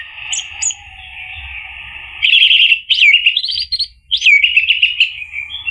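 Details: Orange-headed thrush song played to coax a bird into singing: after a sustained droning tone with two short high pips, loud rapid phrases of looping whistles and chattering notes follow in quick bursts.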